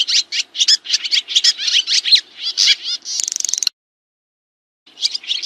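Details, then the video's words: High, scratchy swiftlet chatter meant as master sound for kacer and murai: rapid chirps, then a brief buzzing rattle, an abrupt silence of about a second, and a few more chips at the end. "SUARA BURUNG SRITI"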